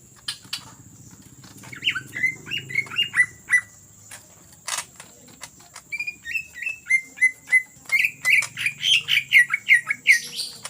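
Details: Greater green leafbird in energetic song suited for luring other birds: varied whistled and chattering phrases around mid-high pitch, rapid repeated notes and rattling trills in bursts, with a steady high electronic whine throughout.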